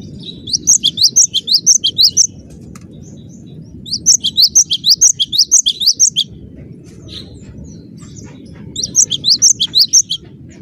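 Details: Cinereous tit singing a dense, lively song: three bursts of rapid, high, sharp whistled notes, about ten per burst, separated by short pauses, over a steady low background hum.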